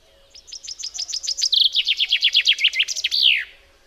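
A common chaffinch gives one bright, cascading song: a run of sharp notes that speeds up and drops in pitch, ending in a quick flourish.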